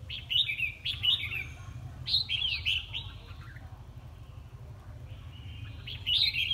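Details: Red-whiskered bulbul in competition singing, delivering quick bright warbled phrases in clusters early on, a pause, then another phrase at the end, over a steady low hum.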